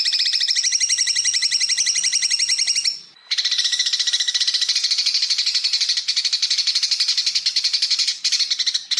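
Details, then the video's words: Greater green leafbird full-burst song used as a tutor recording for training other birds: a dense, rapid buzzy rattle of high notes for about three seconds, a brief break, then a second, even denser high trill. "MASTERAN cucak ijo full tembakan"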